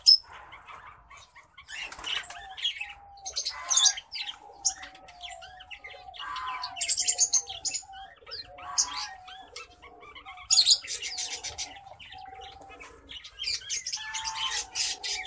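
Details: Male orange breasted black faced zebra finch with a female Isabel zebra finch; series of harsh buzzy notes and clipped chatter in irregular bursts, some louder phrases near the middle, light fluttering between.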